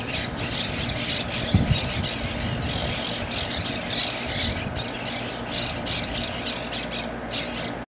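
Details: Monk parakeets at White Rock Lake, Texas, squawk in a steady, overlapping chorus of harsh, grating bursts, with a low rumble of wind or distant traffic underneath.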